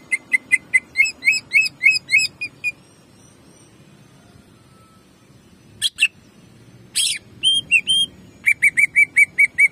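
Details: Greater green leafbird shooting jamtrok song, meant to rouse and warm up other birds: rapid looping whistled notes, a pause, two harsh bursts, then another fast run of bright repeated chips.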